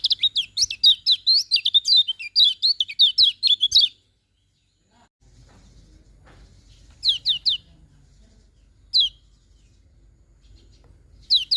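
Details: Morning singing by a lemon-bellied white-eye: a nearly four-second stream of quick, high, see-sawing whistles, then a quiet pause broken by short clusters of sharp down-slurred notes.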